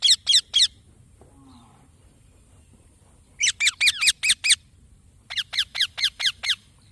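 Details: Young green parrot giving high, squeaky chirps in quick bursts of three to six notes, with a long quiet gap and a faint low sound between the first and second burst.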